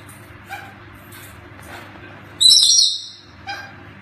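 A hyacinth macaw gives one loud, harsh, grating screech lasting about half a second, framed by a few faint shorter squawks and a low background hum.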